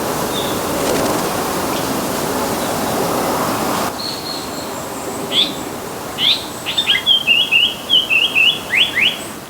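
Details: Male Japanese paradise flycatcher (Terpsiphone atrocaudata), an endangered summer visitor in Korea that comes from Southeast Asia to breed on Jeju: a few sharp, high notes, then a quick run of about eight bright whistles, with a steady hiss early on.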